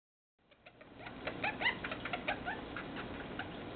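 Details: Pet Meyer's parrot showing affection, giving a rapid series of soft clicks and short chirps, some with a faint whistled tone, building up after a brief silence at the start.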